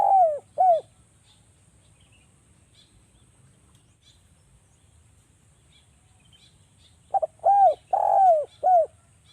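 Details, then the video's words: Spotted dove, Javanese form, calling as a lure to make doves sing. Two arched coos open, then a long quiet gap, then a full phrase: rapid double note, bowed coos, a drawn-out falling coo, a final coo. "DERKUKU JAWA suara rapat TAJAM,pancingan agar BUNYI jadikan burung DERKUKU BUNYI GACOR NGALAS"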